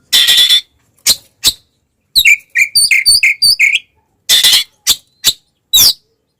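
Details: Oriental magpie-robin fighting song used to provoke other magpie-robins: harsh rasping bursts alternate with a quick row of short bright whistled notes and sharp single calls, separated by silences.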